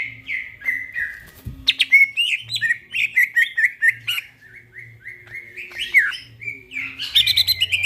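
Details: A greater green leafbird sings vigorously at night in gacor style, a rapid tumbling sequence of clear slurred whistles and chattering chips, a short break, then a dense burst of mixed notes at the end over a soft low hum.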